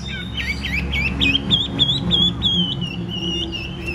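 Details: Chinese hwamei with a big body singing during fighting display: a quick series of bright, slurred whistles repeated about three times a second, over low background hum.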